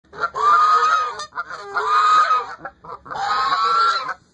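A Chinese goose gives three loud, drawn-out nasal honks, each about a second long, with brief quieter notes between them.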